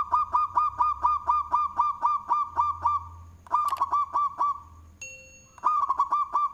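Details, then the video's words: Local zebra dove (perkutut) singing loudly in the manggung style, suited as a lure: a fast run of short, hooked cooing notes about four per second, broken by a pause, with a brief steady electronic beep near the end. "Perkutut Lokal suara BESAR Manggung, Cocok untuk pancingan"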